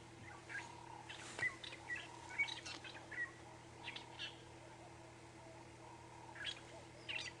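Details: Fork-tailed drongo giving alarm calls near a male leopard at misty dawn in Kruger National Park, South Africa, 25 April 2016: harsh, scratchy notes mixed with brief whistled chirps at irregular intervals over a steady low engine hum.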